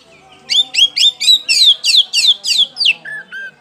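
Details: Oriental magpie-robin of the kacer poci type singing loudly as a lure to prompt other birds to sing: nine rapid, loud downslurred whistled phrases about four per second, ending with two lower, flatter whistles.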